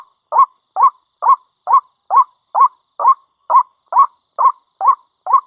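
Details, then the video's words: White-breasted waterhen giving a steady series of harsh, mid-pitched notes, each one rising then dropping, repeated about twice a second with even spacing, twelve notes in quick succession against a silent background. "Suara burung ruak-ruak terbaik dan paling ampuh"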